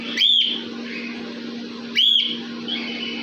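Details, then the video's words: Cockatiel kept in an aviary, giving two bright, arched whistled calls nearly two seconds apart over soft background twittering and a low continuous hum. "Cocktail Parrot Voice Aviary"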